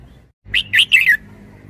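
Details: Red-whiskered bulbul, a caged decoy bird, giving one short bright phrase of four quick warbled notes, rising and falling and ending on a slurred downward note, over a quiet low hum.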